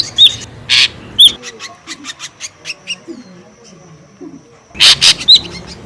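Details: Ashy drongo lure call: loud harsh bursts mixed with short clear whistles at the start, a quieter stretch of soft ticking notes, then another cluster of loud scratchy bursts and a whistle.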